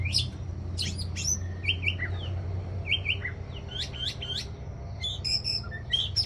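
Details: White-rumped shama song from Aceh, used to lure birds: a varied sequence of sharp, high whistled notes and short chirped flourishes, spaced irregularly, over a steady low hum.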